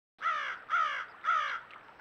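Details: Crows flying in to a backyard pond area: three harsh, nasal caws, each about a quarter second long, spaced roughly half a second apart, with a faint fourth note trailing off at the end.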